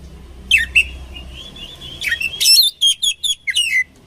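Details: Oriental magpie-robin song for training birds: quiet thin whistles at first, then a run of loud, evenly spaced sharp whistled notes, about five in just over a second, ending on a falling slur.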